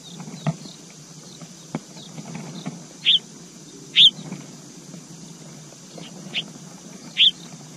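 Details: Red-whiskered bulbul, a mother feeding her young high in a pine tree, giving brief, bright high chirps spaced a second or more apart, over steady insect hiss and soft background rumble.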